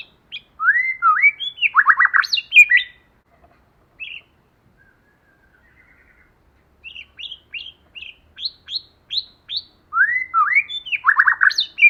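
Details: Forest-style singing of a white-rumped shama pair, male and female, played as a lure to stir up other shamas: bursts of rich slurred whistles and rapid chirps, a quiet gap, then a run of short upward notes and more fluty phrases.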